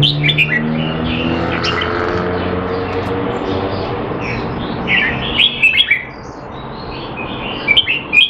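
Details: Caged red-whiskered bulbul kept in Singapore during a training session on 25 December 2020, described as not in form: bright chirped notes at the start, then after a quiet spell a burst of sharp whistled phrases, over a low steady hum.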